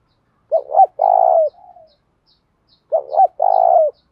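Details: Spotted dove kept as a decoy bird to provoke wild doves into cooing, giving two clear low cooing phrases, each a short wavering double note followed by a longer steady coo, separated by a pause of about a second.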